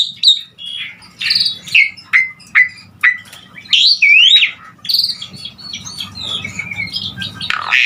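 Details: Lively Asian pied starling song for tutoring other songbirds: piping and rising whistled notes, squeaky slurs and rough chattering phrases alternate, followed by a quieter jumble of softer notes.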